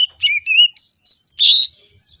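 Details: Excited oriental magpie-robin, a rich-repertoire singer used as a lure for birds that rarely sing: a quick string of five clear whistles, dipping then held long and level, ending on a bright higher note.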